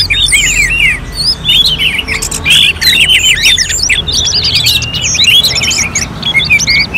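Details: Orange-headed thrush (Geokichla citrina) from North Bali pours out a rich, nonstop run of varied whistles, slurred trills and sharp chirps, phrases tumbling quickly one into the next, like a contest simulation.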